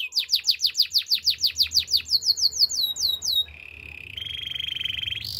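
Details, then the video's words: Canary song from a training recording: a steady series of sharp downward-sweeping notes about three per second, then a sustained lower warbling roll rising into a high tone. "Your Canary Will Not Stop Singing With This Canary Training"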